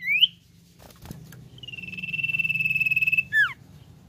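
Common Iora: a short rising whistle, then a long, steady, high drawn-out whistle ending in a quick falling slur. A low hum runs underneath.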